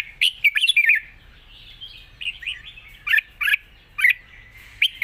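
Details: Red-whiskered bulbul giving long song in a light, wild-style manner, singing mixed with chatter: lively warbled phrases at the start, then clipped bright notes repeated roughly every second.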